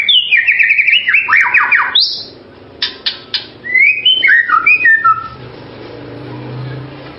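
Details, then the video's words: White-rumped shama with a melodious voice: a fast rattling series of harsh chattering notes, a few sharp clicks, then a string of short, clear, falling whistles, fading into a low background hum. "MASTERAN MURAI SUARA MERDU"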